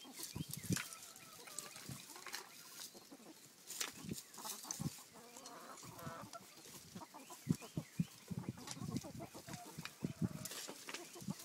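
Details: Chickens squawking around their pen: scattered low clucks and short harsh squawks at irregular intervals, mixed with rustling and scuffling noise.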